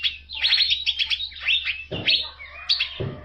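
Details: Energetic song of an Asian fairy-bluebird, used as a tutor for training songbirds: bright whistled phrases and rapid chattering notes, broken twice by low thumping knocks, with a constant background hum.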